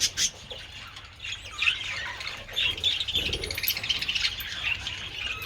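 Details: Budgerigars in the sun with treats on 27 February give a sharp squawk at the start, then a stream of wavering, chattering warbles and short squeaks.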